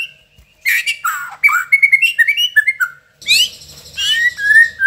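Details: White-rumped Shama from Indonesia singing with imitated fill-in phrases (isian) of sogon, cricket, cungkok and lovebird: clear whistled notes and slurred phrases broken by harsh, buzzy bursts, with short pauses between the outbursts.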